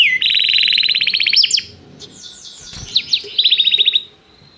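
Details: Canary in song training, calling another canary to sing: fast rolling trill, a quieter gap with faint notes and a click, then a short series of rapid repeated notes.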